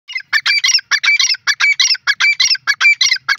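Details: Teetar (francolin) calling in a forest: loud, harsh, grating phrases of rapid scratchy notes, repeated in quick bursts about every half second with brief gaps, all high-pitched, with no other clear sounds.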